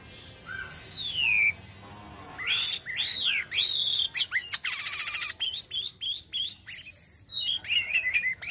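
A cotton myna sings a lively jumble of high whistles, falling slurs and rapid buzzy trills.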